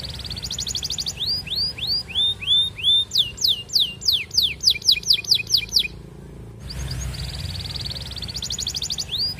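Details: Long-running canary song courting a female, played as a lure for other canaries: a buzzy trill, curving whistles, a rapid series of sharp rising notes, a brief silence, then more high trilling.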